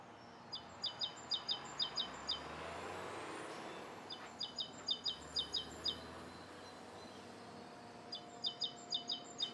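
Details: Rose-coloured Starling on a morning in Bishopston, Bristol, 29 November 2014. Rhythmic bursts of high, clipped chirps repeated about twice a second, with a passing vehicle rumbling through the middle.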